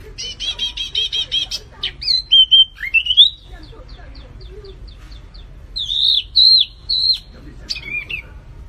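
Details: Rapid trilled stutter from a flamboyan bird, then fluid sliding whistles rising and falling, quiet for a moment, then three bright wavering notes and a final sharp call.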